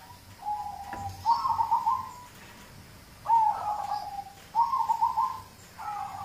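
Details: Local zebra dove song used as prompting audio: a soft low coo followed by three bubbling trilled phrases, roughly one every one and a half seconds.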